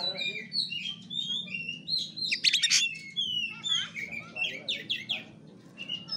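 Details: Oriental magpie-robin fighting-style song, kura kura variant: chattering whistles and a burst of harsh rattling notes midway, over a constant low droning background.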